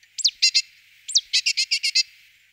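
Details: Great tit taking up a nest box: two quick downslurred squeaks, each followed by a run of rounded, repeated chirps, about six in the second series, in a clean setting.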